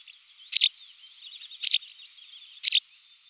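A white wagtail gives a thin, high twittering warble, punctuated by a sharp, louder chirp about once a second.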